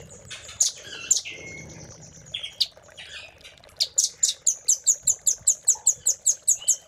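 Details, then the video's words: Velvet-fronted nuthatch recorded as master song for caged birds: a few sharp scattered chips and a short falling whistle, then a quick regular series of loud high notes, about three per second. "RAMBATAN GACOR ❗️Isian Cililin❗️Masteran Rambatan Paruh Merah"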